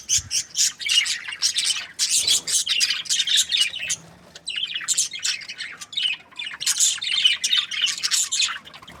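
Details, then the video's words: Budgerigars chirping in a steady, busy stream of high scratchy warbles and squawks, short bursts following one another almost without pause across the whole stretch. "Budgies parrot chirping sounds"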